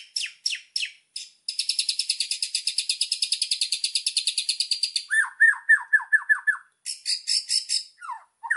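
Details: White-rumped shama master song for training birds: a few sharp high notes, a long fast buzzy high trill, then a series of clear down-slurred whistles and more short buzzy bursts.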